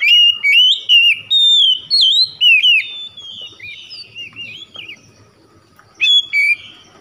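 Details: Oriental magpie-robin pouring out a lure song for a bird that stopped singing: loud looping whistles in quick succession, fading into softer warbles, then a final pair of bright notes.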